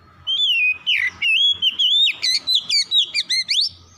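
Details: Oriental magpie-robin singing in a dense stream of clear whistles, quick upward and downward slurs and sharp chips packed closely together, with short gaps between phrases and a faint low hum behind.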